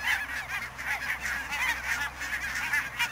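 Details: Barnacle geese calling in fog, Niittylahti, Savonlinna, Finland, 2 October 2011: a continuous chorus of many overlapping nasal yelps blending into a steady chatter with a faint low hum beneath.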